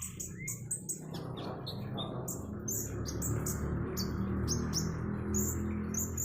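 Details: Konin, the common iora, gives sharp high chirps several times a second over a steady rushing of flowing water that grows louder partway through.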